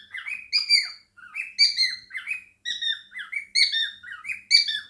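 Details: Cockatiel at home with budgies, singing and chattering: repeated groups of harsh chirps and downslurred whistles, roughly one group each second, with a short lull near the start.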